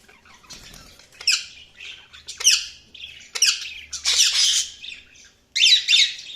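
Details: Budgerigars giving sharp, separate squawks and raspy chirps, several loud harsh bursts spaced a second or so apart, with a quiet hum behind them.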